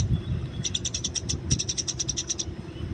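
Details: Wild Eurasian tree sparrow, fighting context: a single run of about fifteen sharp high chirps delivered quickly and evenly over roughly two seconds, against a low rumbling background.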